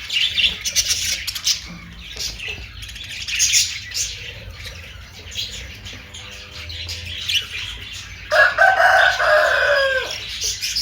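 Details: Budgerigar chatter of quick high chirps and scratchy notes, quieter in the middle, then a louder harsh, rasping call near the end, over low background hum.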